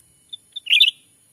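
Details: Black-capped bulbul lure call used to draw wild birds, Sumatra forest: two soft introductory notes followed by a loud, fluttering double chirp.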